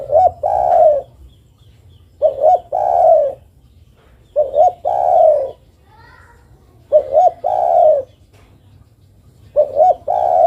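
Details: Female spotted dove calling the male, five steady phrases each made of two short lifting coos and a sustained soft coo, spaced roughly two and a half seconds apart; a faint brief chirping sounds between phrases.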